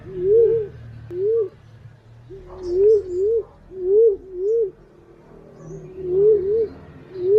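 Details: Green pigeon lure call: repeated soft, wavering whistles in double and triple swoops, about six phrases over seven seconds, with a low hum and faint distant chirps behind.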